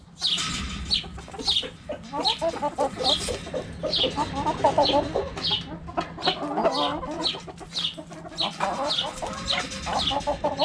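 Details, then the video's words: Backyard chickens, hens clucking while playing with a cabbage: dense overlapping clucks and murmurs throughout, with repeated high chirps from birds every second or so and a steady low hum underneath. "Chicken Sounds Noises Hens Clucking Roosters Crowing!"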